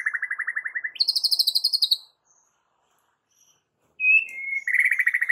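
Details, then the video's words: White-rumped shama song used to provoke young and wild fighter birds: a fast pulsing trill jumping abruptly higher, a long pause, then a whistled note leading into another rapid trill. "pancingan Suara KALEM tapi TAJAM Untuk Pancing FIGHTER Murai batu PAUD dan Muda Hutan"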